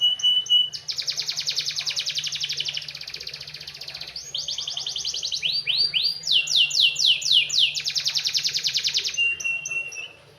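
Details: Canary delivering a soulful varied song as kept by Indonesian songbird fans: a brief whistle, long dense buzzy trills, a run of steep rising sweeps around six notes, another trill and a closing whistle, with steady low hum.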